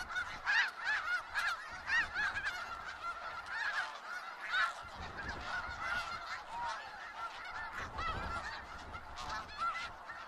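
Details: Wild snow geese in Skagit Valley, a dense flock honking continuously; overlapping nasal, yelping calls pile into a constant chorus for the full ten seconds with no pause, many birds calling at once.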